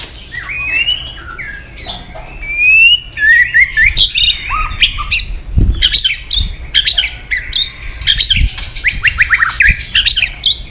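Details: Caged white-rumped shama, a female-type voice played to rouse fighting spirit in males: a rich, continuous run of varied whistles, quick upsweeps and chattering notes, with occasional low thuds in the background.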